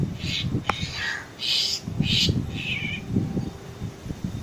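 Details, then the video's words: Black drongo giving a rapid string of rasping, metallic call notes in close succession, some lower and some higher, against a constant low rumble of outdoor noise. "Black Drongo Bird Call"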